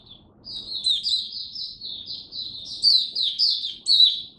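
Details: Oriental white-eye kept as a hobby cage bird, delivering the 'raja' song: a rolling run of high, slurred whistled twitters that grows louder toward the end, with accented sharp notes.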